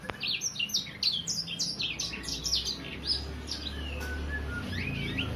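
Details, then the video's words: Sangihe hanging parrot, a juvenile roughly three months old, giving quick high chirps in tight bursts, then thinner scattered twittering notes and a brief soft whistle near the end, with low background hum. "Burung sanger paud..durasi 2 menit tanpa jeda."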